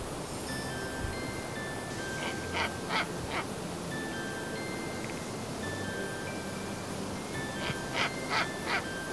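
Snowy owl giving two bursts of four harsh, barking cackles, about a third of a second apart, over soft chiming background music.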